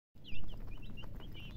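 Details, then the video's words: Chicks chirping: a run of short, high, downward-sliding peeps, several close together, over a steady low rumble. "Baby "Chicks Chirping" Sound"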